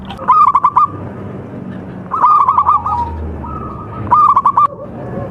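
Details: Contest-type local zebra dove, recorded to train singing birds: three bursts of quick, ringing coo runs about two seconds apart, with softer drawn-out notes between.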